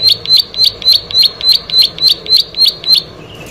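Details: Rapid, steady run of about ten sharp buzzy notes from a plain prinia, each a brief rasping chip, evenly spaced and loud, ending in a short pause.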